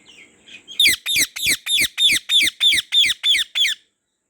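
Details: White ringneck parrot, a pet, in a garden: a run of about ten harsh, screechy squawks at roughly three per second, evenly spaced, then silence.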